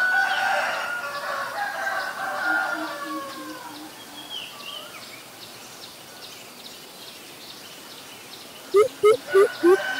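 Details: A greater coucal in Ubon Ratchathani, Thailand, on April 21, 2022 gives four deep, hollow boop hoots in quick succession near the end. A rooster crows earlier, with other faint birds in the background.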